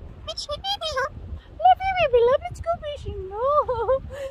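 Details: Galah at Edithburgh Jetty talking in speech-like phrases: smooth, wavering tonal syllables that rise and fall, some quick stepped notes, in short bursts over about four seconds, with a low rumble underneath.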